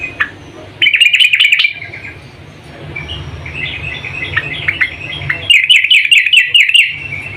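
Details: A female yellow-vented bulbul calls to the male. A fast, pulsed chatter near the start is followed by quieter chirps, then a longer run of rapid, evenly beaten notes toward the end.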